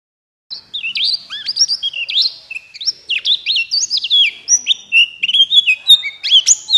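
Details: Buxtoni white-eye (pleci) song used as a prompt to stir other white-eyes into singing. After half a second of silence comes a fast, continuous high twittering of thin whistled slurs and chips, rising and falling without pause.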